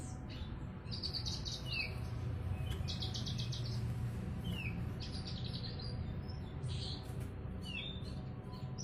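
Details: Bushlark song in ngiriwik style, a run of fast high trilled phrases, each a few rapid notes ending in a short downward slur, repeated every second or so above a steady low hum.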